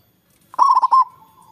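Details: Local zebra dove with a big voice, meant to lure rivals into calling back, gives one short, fast phrase of stuttering, bubbling coos that ends in a faint sustained tone.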